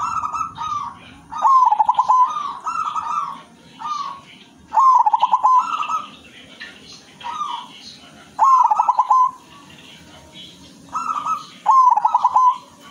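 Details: Silver perkutut, a zebra dove, singing persistently in the luxurious 'manggung' rhythm: a strong rolling trilled coo followed by one or two softer coos, repeated every few seconds, four times, over faint background chirps.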